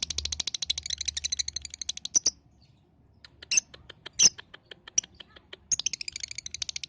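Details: Lovebird lure for encouraging young balibu lovebirds to sing: a long fast buzzing rattle, a near-silent gap with sharp ticks and squeaks, then the rapid rattle resumes.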